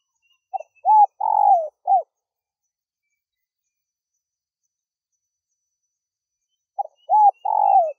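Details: Spotted dove call played to attract wild doves: a quick series of short cooing notes ending in a longer drawn-out coo. The phrase repeats after about five seconds of silence, with no other sounds.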